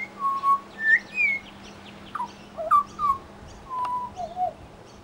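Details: Mimicking Pied Butcherbird in suburban Brisbane, Australia: mellow whistles and sharp rising slurs, a few downslurred notes and short chirps, spaced by short gaps, over a constant low hum.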